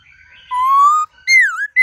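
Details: Laughingthrush singing a rich, many-voiced wild-style song used to train caged birds: a steady, slightly rising clear whistle, then a loud downslurred-and-rising whistle, and a final bright high note.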